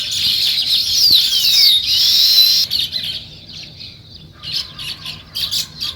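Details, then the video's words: Morning sparrows form a loud high chattering chorus with a few downward-sliding whistles, then the flock drops to short separate chirps. "Natural Sparrow Chirping Sounds"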